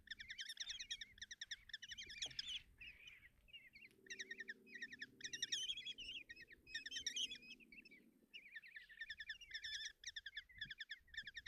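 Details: Common kestrel chicks in a nest box at Tiszalök, Hungary, on 30 June 2024 beg as the mother brings breakfast and feeds them: rapid, shrill, rasping trills in overlapping bursts, almost without pause, with a faint low hum midway.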